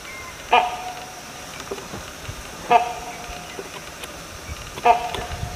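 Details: Great hornbill making three harsh, honking barks about two seconds apart, each sharp onset followed by a brief trailing note, over soft background hiss.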